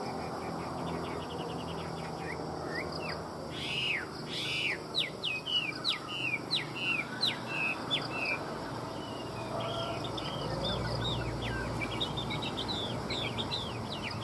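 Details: Chinese hwamei from a Vietnamese dealer pours out a long, fast string of sharp whistled and chirped notes, several per second, varied and looping, with a few louder emphatic notes midway and low background hum.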